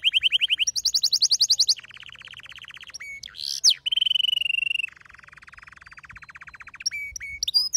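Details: A male domestic canary sings to a female asking to mate. Fast rolling trills change tour every second or so, from clear whistled rolls to a sharp rattle to a long, softer buzzy trill, with a few scattered chirps at the end.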